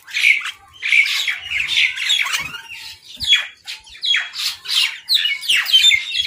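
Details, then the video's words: Crows squabbling over food give rough, grating caws in quick succession, steady and unbroken throughout, with faint knocks mixed in. "Crow Fight | Crow Eating Food"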